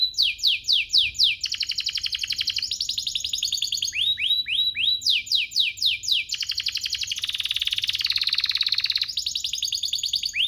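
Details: Canary song to draw other canaries into singing: alternating series of sharp sweeping notes and buzzy rapid trills, one dense high rasping stretch in the middle, loud and unbroken.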